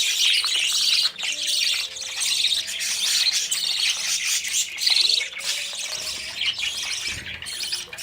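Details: Budgerigar chicks chasing adults for food after fledging from the nest; many birds chirping and squawking at once in dense, high overlapping chatter, with a low rustle near the end.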